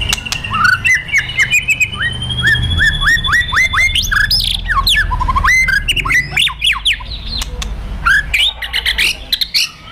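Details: Fighter murai batu (white-rumped shama) in emotion-provoking kretekan and tembakan singing: a long thin whistle over a string of short rising notes, then busy overlapping chips, trills and sharp upslurred calls.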